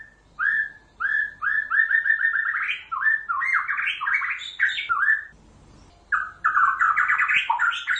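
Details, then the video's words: White-rumped shama song: rich, varied whistled phrases, each a short burst of slurred and warbled notes rising and falling, separated by brief pauses of about half a second to a second, with faint background hum. "Kicauan Murai batu"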